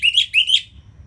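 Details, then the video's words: Orange-headed thrush from northern Bali, song used to encourage quiet birds to sing: two short slurred whistled phrases, each rising then falling, followed by faint low background hum. "ANIS MERAH Ngeplong Masteran Jahat Untuk Burung Yang Malas Bunyi Agar Lebih Gacor Selalu"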